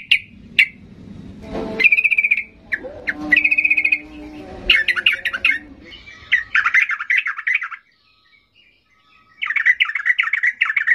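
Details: Yellow-vented bulbul singing in a highly agitated state, meant to provoke silent birds to reply: sharp single notes, bright buzzy phrases, then dense warbled chattering runs, a near-silent gap, and another chattering burst.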